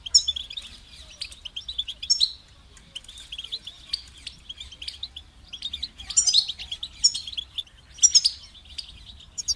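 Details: Long stretch of European goldfinch song, soft steady twittering broken by louder, sparkling high-note bursts toward the middle and end.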